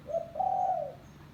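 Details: Single lure phrase from a village spotted dove: a brief soft note, a short pause, then a sustained, even, hollow coo that fades away. A low background hum continues underneath.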